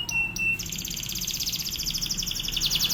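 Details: Canary in vigorous drilling song, recorded as training material for other canaries: two sharp clicks and a steady whistle, then a loud dense rapid trill of repeated high pulses ending in a brighter burst.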